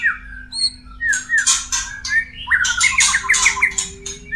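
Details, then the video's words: White-rumped shama in a cage singing while mating, a lure meant to bring birds into breeding condition: thin high whistles, then a burst of harsh chattering notes and fast slurred trills over a steady low hum. "SUARA PANCINGAN MURAI KAWIN"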